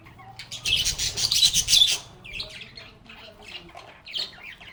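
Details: Chatting parakeets: a loud, dense burst of scratchy warbling in the first two seconds, then softer scattered chirps and chattering.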